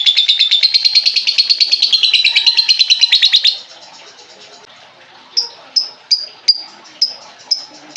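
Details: Lovebird song used as a lure to get a silent lovebird singing again: a fast, buzzy, high chattering trill runs for about three and a half seconds, then after a short pause sharp high chirps repeat roughly every half second.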